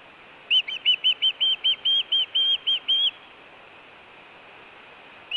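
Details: Osprey at a Montana nest in summer, calling as it arrives or leaves: about twelve whistled, slightly arched chirps at a steady pace over two and a half seconds against faint background hiss.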